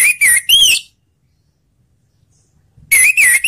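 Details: Orange-headed thrush singing to coax reluctant thrushes into song: two bursts of loud, clear whistled phrases with wavering, bending notes, separated by about two seconds of silence.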